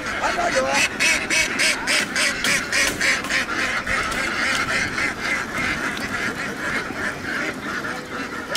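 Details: Laying ducks in Vietnam, a whole flock crowding onto a boat from a field; loud, harsh quacks pulse in quick runs, roughly three to four per second, over a constant flock murmur.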